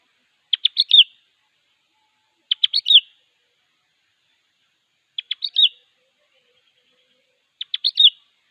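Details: Sooty-headed bulbul singing to call a rival: short bright phrases of three or four quick notes ending in a slurred whistle, repeated about every two and a half seconds against a quiet background.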